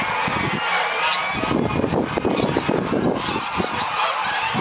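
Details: Large gathering of geese in Dalen on a winter morning with soft spring-like sunshine, just waking: a steady wall of harsh, overlapping honks from many birds at once.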